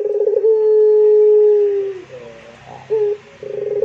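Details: Puter pelung Barbary dove delivering a burred opening into a long smooth coo, then soft quavering notes and a short coo, with faint room noise behind.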